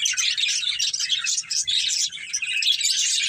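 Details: Two budgerigars, a breeding pair, chattering nonstop in high, buzzy, scratchy chirps and warbles, faint low bumps underneath.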